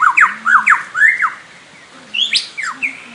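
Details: Lyrebird calling: loud, varied series of swooping whistled notes, rising and falling, with quick repeated phrases, then a pause and higher sharp downslurred whistles.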